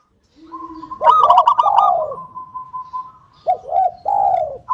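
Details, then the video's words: Local zebra dove singing loudly, used as a lure to prompt other doves to sing: a low soft opening note, then loud rolling trilled coos with a steady held tone, followed by short pulsed coo phrases. "PANCINGAN PERKUTUT LOKAL SUPER GACOR UNTUK PANCINGAN PERKUTUT AGAR CEPAT BUNYI"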